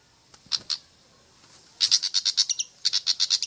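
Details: Pied fantail song played to lure other birds into singing: two high sharp chips, a pause, then a rapid run of bright, even, high-pitched notes, about eight per second, broken by a short gap.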